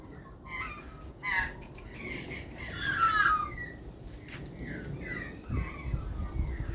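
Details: Australian magpies in Australia calling while being hand fed: several tonal, warbling notes around mid pitch, one descending slurred phrase near the middle, with handling noise and low rumble underneath.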